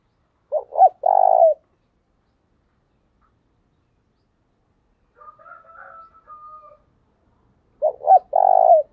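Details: Spotted dove kept as a decoy, calling in the urgent luring style: two full three-part coos, a short note, a swelling note and a long purring coo, roughly seven seconds apart, with faint thin tones between them.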